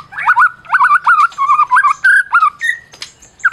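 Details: Champion Medan white-rumped shama, its song meant to make mute shamas sing: a quick series of looping warbled whistles around one kilohertz, repeated several times per second, broken by sharp clicks and a high note.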